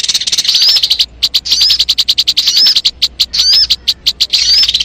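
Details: Sogon song played to lure birds: repeated bursts of quick high ticking notes, each group ending in a brief curling whistled phrase, roughly once a second.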